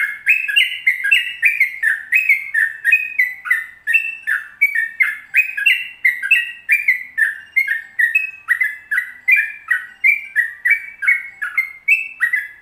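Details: Long continuous 'ropel panjang' song of a yellow-vented bulbul, a training recording meant to get kept birds singing: steady chain of liquid, slurred whistled notes, each stepping up or down, several per second without pause.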